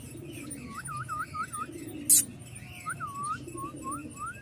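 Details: Parblue opaline lovebirds, young males kept in an aviary, give quick looping chirps in a tight series, broken by a sharp click, then more rising chirps against a low rumbling background.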